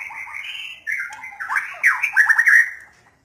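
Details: Song of a white-rumped shama: a whistled opening turning into rapid, chattering, buzzy notes that grow louder before ending in a bright, sustained note, followed by silence.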